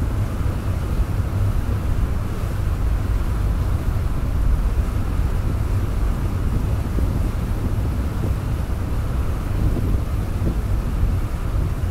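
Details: Steady low rumble of wind and engine or surf noise, with no animal voice heard.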